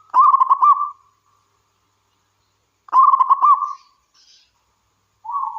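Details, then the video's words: Zebra dove of local wild stock, singing persistently: two loud, rolling, pulsed coo phrases under a second long, about three seconds apart, and the start of a third, softer and lower phrase. "Suara Burung Perkutut Lokal Gacor"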